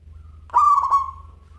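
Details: Zebra dove, a local bird, gives one rolling coo: a few stuttered pulses merging into a long steady drawn-out note, with a faint pulsing low hum behind.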